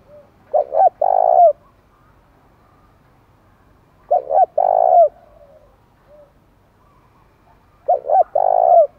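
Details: Spotted dove cooing to provoke wild birds into fighting: three loud phrases about four seconds apart, each two short throaty notes followed by a long rolling coo that ends in a downward slur.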